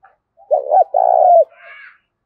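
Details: Single phrase from a decoy spotted dove with a loud Thổ Đồng voice: a stuttered double coo running into a long, steady note that drops at the end, followed by a faint higher tail.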